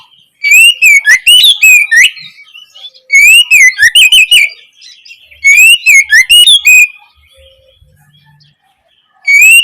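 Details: Oriental magpie-robin singing its opening song for juveniles to learn: three rapid runs of looping whistles mixed with sharp clicks, each about two seconds long, then a pause before the next phrase begins.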